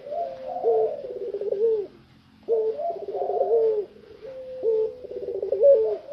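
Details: Tame puter pelung dove cooing eagerly out of its cage: three low coo phrases, each opening with a short note, running into a rapid rolling warble and ending in a drawn tone, separated by brief pauses.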